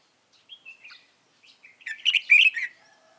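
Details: Red-whiskered bulbul singing fighting song while being trapped with a decoy bird on 26 June 2018: soft slurred whistles build into a loud, dense run of sharp warbled phrases.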